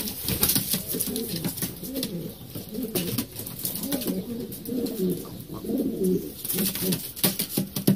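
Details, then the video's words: Breeding İspir pigeons in Şanlıurfa, Turkey, giving low, rumbling coos repeated in a steady series over several seconds, with frequent sharp clicks and rustling throughout. "Yeni damızlık İspirler"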